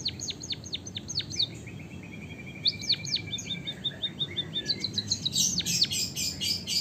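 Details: White-headed Javanese munia singing canary-like phrases: a series of falling whistled sweeps, a low buzzy rattle, more sweeps, then a fast, dense high rolling trill.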